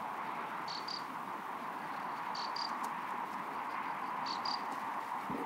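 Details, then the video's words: A graceful prinia (Prinia gracilis) gives an alarm call: pairs of short, high, sharp notes repeated about every two seconds, over a steady background hiss. "קול אזהרה פשוש"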